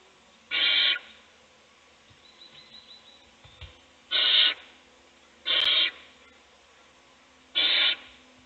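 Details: Owl feeding one chick in a nest box while the other chicks sleep; four short, harsh screechy hisses come at irregular intervals, with low thumps and quiet in the gaps.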